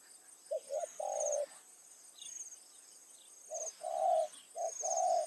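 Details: Spotted dove decoy calling in the late afternoon to bring wild doves in; three cooing phrases, quick short notes then a sustained coo, over steady high insect chirps.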